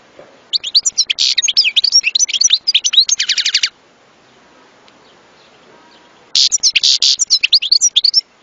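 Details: Goldfinch pouring out a long, fast twittering song with repeated buzzy trills, falling silent for nearly three seconds, then resuming with bright chatter.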